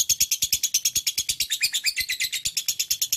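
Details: Lovebird delivering a fast, regular stream of shrill chattering chirps, buzzy and high with slight rising inflections mid-phrase.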